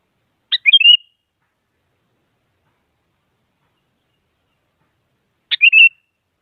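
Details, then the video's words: Sooty-headed bulbul song played to rouse a silent bird into singing: two separate phrases five seconds apart, each a sharp opening note followed by fast liquid warbled whistles; otherwise quiet. "Suara Burung Kutilang Mengajak Lawan Agar Bunyi Bikin Kutilang Diam Semangat Berbunyi"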